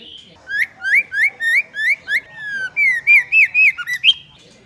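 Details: Female white-rumped shama voice for exciting males: six rising whistled notes repeated about every quarter second, a falling long whistle, then faster looping slurred whistles ending on a high note.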